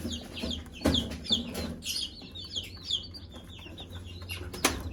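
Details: Low clucks from a mother hen calling chicks to eat, several in the first two seconds, under rapid overlapping high peeps from the chicks.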